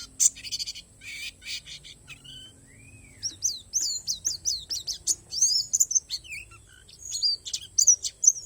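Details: Oriental white-eye from Borneo, palas type, giving isian alam song: a burst of buzzy notes and one lower rising-falling whistle, then quick series of high slurred chirps, some louder peaks, over a steady high whine.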